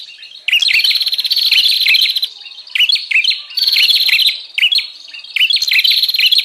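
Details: Lure call of the bar-winged prinia meant to attract wild birds, dense buzzy trills and sharp chirps in irregular bursts about every second or two, nearly continuous after a soft start.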